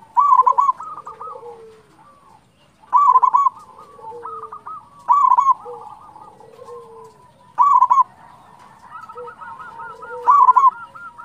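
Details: Local zebra dove singing, used to prompt other doves to sing: loud bursts of rolling coos about every two and a half seconds, each followed by softer lower cooing notes, with quieter doves calling in between.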